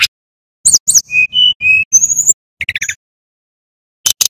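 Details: Male brown-chested jungle flycatcher from Bali, played as a lure and as a tutor for young birds: short, very high sharp chirps and thin whistled notes, then a quick trill and a pause, over a low buzzing hum.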